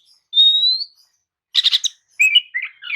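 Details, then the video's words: Oriental magpie-robin lure song meant to stir sluggish kacer into replying and singing. A long, level, pure whistle slowly rising, then a dense buzzy chatter and a few quick falling twittered notes. "kicau pancingan kacer atasi kacer loyo! jelas nyaut dan gacor"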